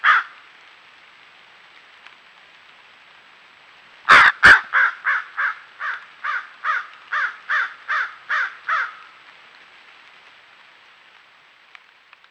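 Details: A crow on a single rural acre in Hendersonville, North Carolina, voicing displeasure at a raccoon stealing its food, filmed by trail camera: one harsh caw, then about a dozen loud, hoarse caws repeated roughly every third of a second, then quiet.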